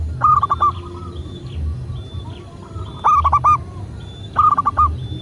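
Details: Indonesian local zebra dove cooing as a master track to stimulate doves to sing. Three rolling phrases of quick hollow notes: one at the start, then two close together near the end. Faint high whistles and a low rumble fill the gaps.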